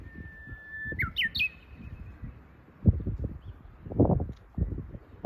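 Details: Lesser cuckoo heard in spring on a walk: a flat whistled note breaks into three fast notes stepping upward, then fades, followed by loud footsteps on the path.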